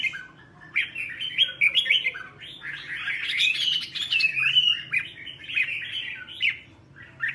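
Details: A red-whiskered bulbul, used to train bulbuls to sing mature wild-style double notes, sings a lively run of bright, warbled phrases, chattering and fluttering up and down, with a faint low hum behind it.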